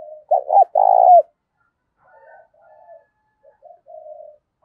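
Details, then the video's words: Spotted dove used as a decoy to bring wild doves to coo, thổ đồng voice style. One strong phrase opens, a stuttering double note and then a long rolling coo. Only soft, faint murmurs follow. "Chim Cu Mồi, cu gay kich boi nhanh noi gù"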